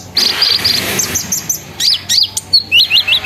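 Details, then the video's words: Sunbird song used as a lure to set other sunbirds singing, in the chattering, rolling, shooting style called ngeriwik, ngerol, nembak: rapid high thin chirps and short trills, loud and dense at first, then spaced sharp notes with a faint background hum. "PANCINGAN KONIN NGERIWIK NGEROL NEMBAK GACOR BIKIN KONIN LAIN IKUT BUNYI"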